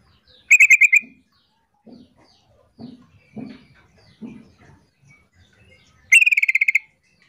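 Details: A female sooty-headed bulbul calling to draw a male into answering, giving two quick bursts of harsh, rattling chatter, about six then ten notes, with soft low thumps between them.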